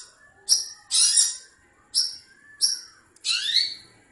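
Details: Long-tailed shrike, a village bird said to be calling for a mate, gives five high, harsh, scratchy bursts at irregular intervals, ending with a slurred note that rises then falls; no other sounds stand out.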